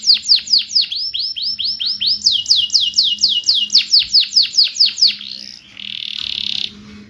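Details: Canary song played to prompt non-singing canaries: a long run of loud downslurred whistled notes repeated at a brisk, even pace, shifting slightly higher midway, then giving way to a harsh, noisy rasping burst.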